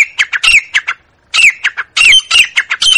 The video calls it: Grey Francolin Sound | Francolin Calling | Grey Francolin Voice | Teetar ki Awaz